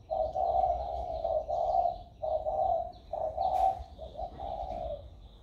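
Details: Spotted dove recorded 16 February 2020, its voice newly turned warm: a run of soft, low, hollow coos in short grouped phrases with brief pauses, steady and mellow, one faint click partway through.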